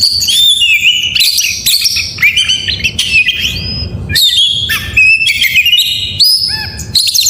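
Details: Oriental magpie-robin singing vigorously in the morning, a rich, fast medley of bright whistles, rising sweeps and buzzy trills delivered in bursts with brief pauses, over a faint low rumble.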